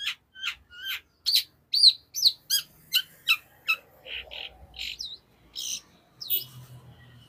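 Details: Fast, tightly packed song of a long-tailed shrike, a steady string of sharp chirps and upward-hooked whistled notes, roughly two or three a second, mixed harsh and clear tones.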